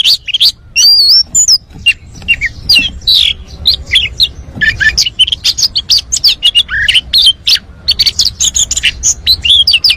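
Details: Oriental magpie-robin in full varied song, used to prompt other birds to sing: a dense, rapid run of high whistles, chirps and sweeping slurred notes, nearly continuous, with a faint low background rumble.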